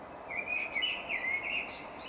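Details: Common Blackbird from Monkstown Village, Dublin, during spring nesting: one continuous mellow, fluty phrase of gently wavering notes, followed by a thinner higher flourish, with a soft noise bed beneath.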